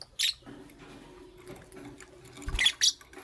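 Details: Lovebirds, a green Fischeri and a pastel blue, chirping in the morning: two bursts of harsh, high-pitched squeaky chirps, one at the start and a double burst near the end, with quiet room hum between.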